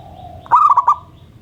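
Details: A local zebra dove calling keenly in the morning, setting other birds off: a faint hum, then one quick phrase of soft, rolling, stuttered coos over low background rumble.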